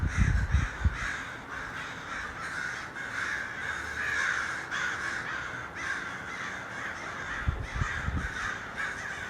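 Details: Hundreds of crows gathering in a large flock: a dense, overlapping chorus of harsh caws, many birds calling at once in a continuous wash, with low thumps near the start and again near the end.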